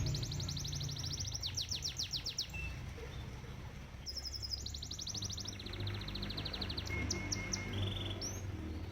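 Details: Canary singing beside a koi pond: rapid trilled phrases of repeated high notes, shifting between buzzy rolls and clear whistled tones, over a steady low water murmur.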